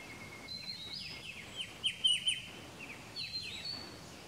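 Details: Striated bulbul (Pycnonotus striatus) at Pelling, Sikkim, India, in May 2018, giving a quick run of high, sharp, down-slurred chirps, bunched near the middle, over a faint steady hiss.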